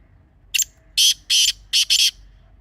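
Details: Grey francolin (teetar), offered as a hunting calling sound, gives five harsh, loud, broadband bursts in quick succession within under two seconds over a quiet background.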